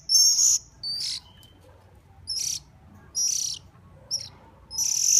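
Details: Hand-fed hungry bird begging: loud, shrill, high-pitched squeals in bursts of about half a second, repeated at uneven intervals.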